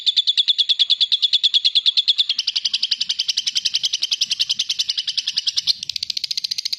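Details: A lovebird pours out a long, clear ngekek as a lure for other lovebirds, a continuous rapid trill of sharp pulses that steps up in pitch twice and holds steadily.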